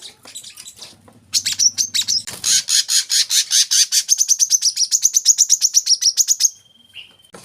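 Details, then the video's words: Olive-backed sunbird song for training young birds: after a faint low hum, a loud buzzy burst leads into a long fast series of high rattling chirps, ending in a thin steady whistle. "kolibri kelapa | wiceh | manggar | putar suara ini untuk burung bahan agar rajin bunyi"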